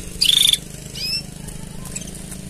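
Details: Canary singing a mating song: one loud, fast, high rattling trill lasting about a third of a second, followed by a softer burst of quick sweeping notes, then quiet low hum.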